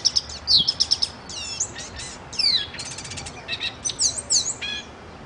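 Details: Pet bird, black and white with a silver beak, singing: a fast run of high, thin whistled notes, with quick repeated chirps, sweeping down-slurred phrases and short buzzy bursts, over a faint steady background hiss.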